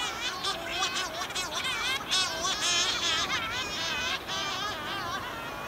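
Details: Night at a dense Cory's Shearwater breeding colony on Pico Island in 2019, as mated birds return from fishing to swap egg duty. The birds give harsh, wavering, nasal wailing calls that overlap almost continuously; females give lower drone-like calls, males higher plaintive ones.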